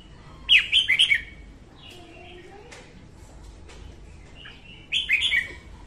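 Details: Morning song of a female red-whiskered bulbul, used for training caged birds to sing and for trapping: two loud bursts of rapid, chattering warbled notes separated by several seconds of softer, faint calls.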